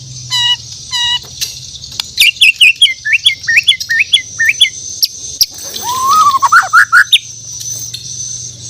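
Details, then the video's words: Morning song of a Bornean white-rumped shama: two clipped note clusters, then a fast run of sharp whistled slurs, ending in a rising, warbling sweep, with a steady high hiss behind. "The Best Bird Singing In The Word || Murai Batu Borneo"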